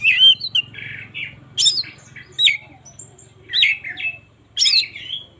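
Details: Oriental magpie-robin in morning song, meant as a lure for reluctant singers: loud, varied whistled and harsh phrases about a second apart, with a faint low hum underneath.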